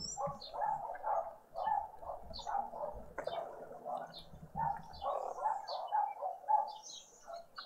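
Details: Green woodhoopoe family group at breakfast in a suburban garden in Pretoria, South Africa, on a noisy spring Sunday morning; a dense, rhythmic chorus of harsh cackling notes repeated rapidly throughout, with thin squeaky notes higher above.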